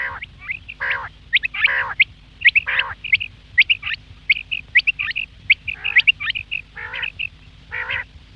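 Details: A busy run of quail calls: rapid high whistled notes and upward flicks alternating with rough buzzy bursts, almost continuous for eight seconds, over a low background hum.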